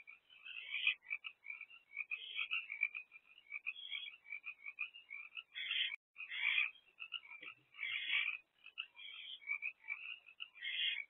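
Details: Barn owl mother and two oldest owlets perched at a nest box, youngest inside, early morning 7 April 2024; long stretch of steady chittering and raspy squeals, occasionally swelling louder.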